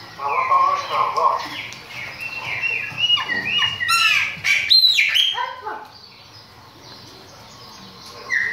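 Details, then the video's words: Song of a chopi blackbird: liquid whistles at the start, then rapid descending slurs, clicks and bright upsweeping notes in a dense burst. A quieter stretch follows before a final sharp whistle. "CANTO DE PÁSSARO PRETO"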